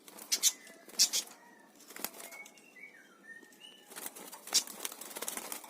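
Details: A pair of parakeets chirping: loud, harsh, noisy bursts in clusters near the start and again after four seconds, with thin whistled notes drifting between them and a quiet stretch in the middle.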